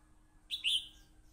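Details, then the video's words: Red-whiskered bulbul during a fight, on a voice recorder, utters a brief two-part chirp: a short sharp note, then a longer bright whistled slur, in a quiet background. "hello crest fight 87,Hello Crest Singing, Voice Recorder, Bulbul bird"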